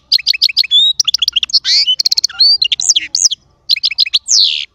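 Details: Small European goldfinch singing a fast, varied twittering song of repeated bright chirps and short trills, interrupted by buzzy rasping notes and sweeping whistles.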